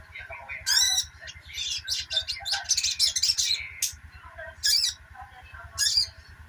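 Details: Sogok ontong in rapid twittering song, used as therapy for birds gone quiet; a busy run of high chirps and trills followed by two isolated loud bursts, with a faint low hum throughout.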